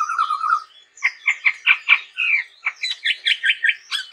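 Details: Vigorous chestnut-rumped babbler song opening with a wavering whistle, followed by a quick series of harsh chattering notes repeated roughly every quarter second.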